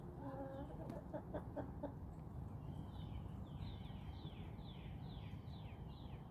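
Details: Backyard chickens roaming outdoors in a calm countryside setting: a short run of low, stacked clucks in the first two seconds, then a wild bird's repeated descending whistled phrases over a steady rumbling background.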